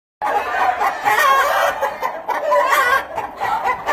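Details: A small project pen of black-tailed red Marans chickens: after a brief silence, several birds cluck and cackle at once in a dense, continuous chatter of overlapping squawks, with some brighter drawn-out notes rising above the flock.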